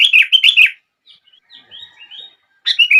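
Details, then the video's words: Sooty-headed bulbul song intended to trigger other bulbuls: a rich, bubbly phrase of quick whistles, then soft, thin, wavering notes, then another bright phrase beginning. "Kutilang Lain gak bisa diam saat mendengar suara ini!!!"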